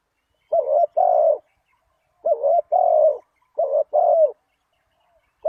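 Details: Lure call of a spotted dove for attracting wild doves: three low, hollow two-part coos in steady succession, with a fourth beginning at the end, against a quiet background.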